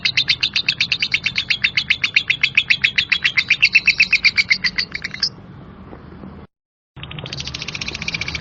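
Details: Female lovebird chattering a coarse ngekek: rapid, harsh high notes for about five seconds, a sudden break into near silence, then the rattling chatter resumes.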